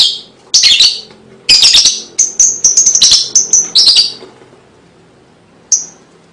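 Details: Lovebird song used to lure and stimulate young birds: rapid, harsh, high chirps in dense bursts for about four seconds, then a pause and a single sharp chirp.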